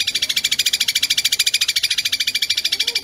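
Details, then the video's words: Long-tailed shrike giving a fast kuntilanak sambung gereja tarung master song: a loud, broad, grating rattle of evenly spaced pulses, about eight per second, with faint low sounds beneath. "Cendet Kuntilanak Sambung Gereja Tarung Speed Rapat"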